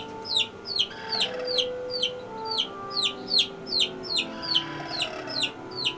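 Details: Bantam chicken flock living cage free in a city backyard; rapid series of thin, high, downward-sweeping chirps, roughly two or three per second, with sustained musical notes underneath.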